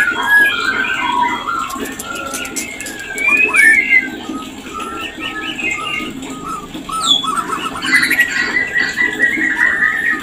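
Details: White-rumped shama mating call to encourage breeding: irregular whistled phrases and chips, a loud twittering burst near the middle, and a bright sustained warble toward the end.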